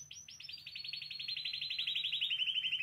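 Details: Spanish timbrado canary singing, offered for song training: a fast rolling trill of rapid repeated notes that starts high and slowly drifts downward in pitch over about three seconds, with a faint low hum beneath.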